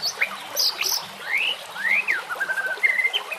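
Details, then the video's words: White-rumped shama with natural background sounds: sweeping whistled notes that rise, fall and level off, with high squeaky chips mixed in and a faint low hum throughout. "Dengan CEPAT murai batu AKAN EMOSI dan IKUT GACOR dengan masteran murai batu ini"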